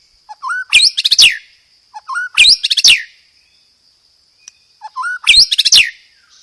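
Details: White-rumped shama singing loud, clear phrases: a soft low whistle leads into a quick burst of sharp high chattering notes, repeated three times about two seconds apart.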